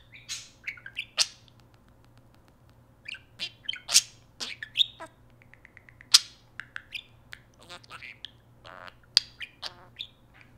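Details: Pet talking parakeet indoors, shown activating Siri on an iPhone: rapid bursts of high, scratchy chirps and squawky syllables with short pauses, some notes sliding, over a faint steady low hum.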